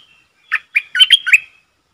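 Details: Decoy Streak-eared bulbul, used to lure wild birds and tutor young birds, delivers a rapid phrase of five or six liquid, gurgling notes, slightly rising, within under a second.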